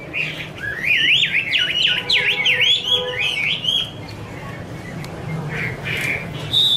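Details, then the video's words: Chinese hwamei, a female in 'te' singing style with a male behind her: a fast, rippling warble of zigzagging whistled notes lasting several seconds, then quieter scattered calls and a final high note. "Chim hoạ mi: Mái te đỉnh cao của năm _ có chim trống làm nền"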